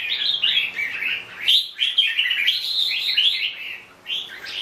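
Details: Chào mào bông (red-whiskered bulbul) delivering a rapid, near-continuous run of liquid chirping notes. There is one brief pause around the middle, then the lively warbling resumes.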